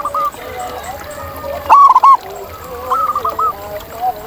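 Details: Zebra dove in the wild gives two brief bursts of rapid cooing notes. Softer, lower coos from other doves fill the gaps.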